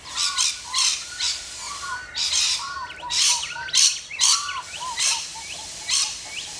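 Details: Rainbow lorikeets in Australia screech in short, harsh bursts roughly every half second, while softer, lower, curving notes run underneath.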